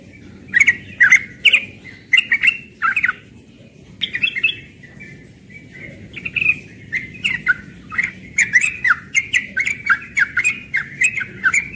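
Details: Young yellow-vented bulbul singing in the morning in ropel style: rapid bursts of chattering, slurred notes, with sharp clicks between them, in two runs separated by a short pause around the fourth second. A low steady hum sits underneath.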